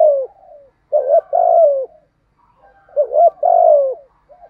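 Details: Spotted dove delivering its driving, well-patterned coo meant to draw answers from shy wild doves; two phrases, each a short double hoot followed by a long, mellow, slowly falling coo, in otherwise quiet surroundings.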